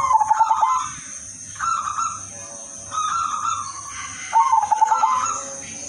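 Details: Udanmas silver zebra dove, a lively singer whose melodious song serves to lure other doves: opens with a quick throbbing coo, long level whistled tones between, and a second pulsed coo near the end; constant thin hiss behind.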